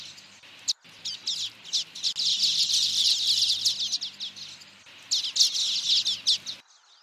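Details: Common waxbill singing: dense, buzzy, high-pitched chattering in two long bursts of rapid ticking notes, with short breaks between.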